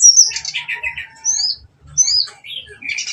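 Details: Softer brown-chested jungle flycatcher lure song, meant to provoke fighting: scratchy chattering notes followed by separate high whistled slurs that return after short gaps.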